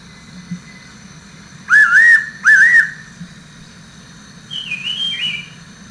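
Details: A pair of loud, clear whistles from a fairy pitta, each note slightly rising and wavering; a softer, higher warbling call from another bird follows, with a low hum and a steady thin high tone throughout.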